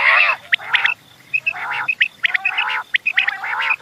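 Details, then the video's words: Quails chirping at morning, bursts of harsh nasal notes alternating with sharp clipped high chirps, several birds calling over one another in quick irregular runs separated by short quiet gaps. "Relaxing Quail Sounds in the Morning"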